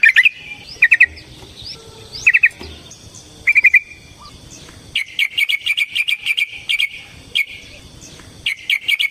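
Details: Yellow-vented bulbul fighting song, used as a lure for other bulbuls. Short, separated bubbly double notes give way to a sustained series of quick repeated chirps.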